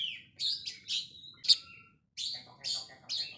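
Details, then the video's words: An Oriental magpie-robin sings against a rival with spaced, bright whistled notes that fall in pitch, a sharp click, and after a brief pause, more short chirped notes repeated about twice a second. "KACER SANGAT MEMBAGONGKAN LAWAN"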